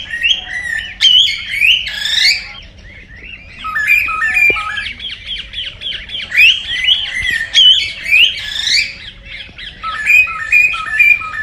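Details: Cockatiels singing to encourage mating: looping whistled phrases and sharp squawks come in bursts, swelling every few seconds, with overlapping birds chattering behind.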